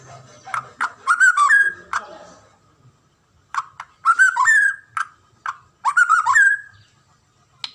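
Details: Singing white-rumped shama, a cage bird kept in Indonesia, giving three bursts of rich whistled notes with sharp clicks, each burst ending in a rising slur, separated by short silences.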